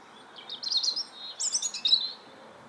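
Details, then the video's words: Bird song: two short rapid phrases of high, warbling, twittering notes half a second apart, clear over faint background hiss. "CHANT OISEAU"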